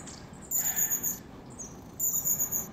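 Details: Long-tailed tits in January, wild in Moscow Region, Russia, giving very high thin sustained trilling calls in two drawn-out bouts, with a softer rustle in the background.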